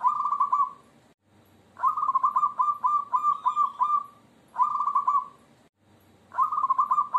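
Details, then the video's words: Jogoboyo-style song of a local zebra dove: a rolling coo, then a long series of pulsed, soft cooing notes, then two more rolling coos. The phrases repeat with short silences between them. "PERKUTUT LOKAL JOGOBOYO LANTUNAN SUARANYA Unik"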